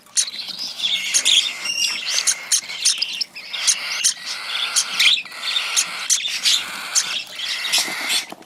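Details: Cockatiel chick being hand-fed, calling steadily: rapid rough chirps and rasping begging notes in a dense, pulsing stream.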